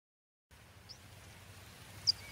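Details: Water Pipit (Anthus spinoletta) gives two thin, high, sharp call notes about a second apart, the second louder, over a soft steady hiss.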